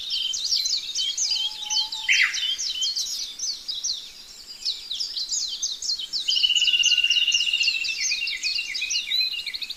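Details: A playful pet budgerigar in the morning chatters in rapid, scratchy chirps and warbles, with a brief buzzy trill.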